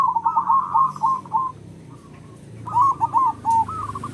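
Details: Loud local zebra dove used to lure other zebra doves: a fast run of rolling, wavering coos, a pause, then another short burst of bubbly notes, with low background hum.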